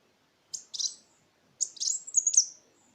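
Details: Kolibri wulung sunbird lure song for urging quiet birds to sing: two short high twitters, the second longer, with sharp thin notes ending in a falling slur.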